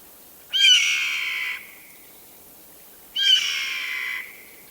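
A Steller's Jay gives two harsh, hoarse screams about two and a half seconds apart, each a drawn-out rasp mimicking a Red-tailed Hawk's cry.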